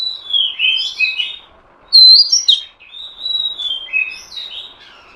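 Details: Female Oriental magpie-robin, kept bird, calling to provoke a male into singing: a run of clear whistled notes, some level, some falling, with a sharp loud high whistle near the middle and a soft background hiss.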